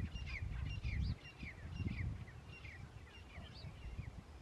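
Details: Several grey francolins from two groups fighting on a farm to defend their territories give quick, squeaky, rising chirps that overlap one another, over a steady low rumble of wind and handling noise.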